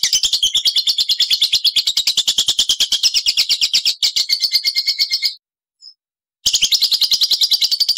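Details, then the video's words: Shrill, buzzy lovebird trill of fast repeated pulses, interrupted by a second of silence with one tiny chip before resuming; ngekek style from caged birds, set with pauses to stimulate other lovebirds. "SUARA LOVEBIRD NGEKEK NGETIK BUAT PANCINGAN"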